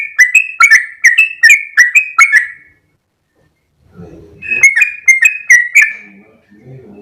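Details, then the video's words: Sooty-headed bulbul 'ropel' song in two bursts: a fast string of whistled notes, a pause of over a second with low rustling, then another short quick run of similar whistles. "full suara Trucuk gacor ropel panjang"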